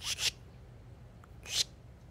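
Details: On a fall morning at a freshwater marsh edge on the southern Maine coast, a Northern Mockingbird gives harsh, dry chack contact calls instead of song: a quick doubled burst, then one more, over a faint low hum.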